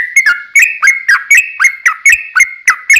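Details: Lure song of a sooty-headed bulbul, meant to make other birds answer: evenly paced, sharply attacked whistled notes with down-slurs, roughly three or four per second, over three seconds.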